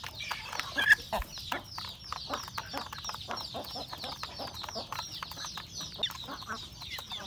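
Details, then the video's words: Household roosters and hen feeding in the morning, with a loud cluck early on, then repeated soft clucks and pecking clicks over a constant high chirping background. "Beautiful sound of chicken eating breakfast, Roosters and Cutest hen"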